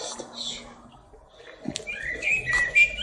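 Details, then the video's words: Blackbird singing: a few short, clear, mid-pitched, slightly sliding whistled notes near the end, after a quieter stretch of soft background rustle and murmur. "Black bird singing"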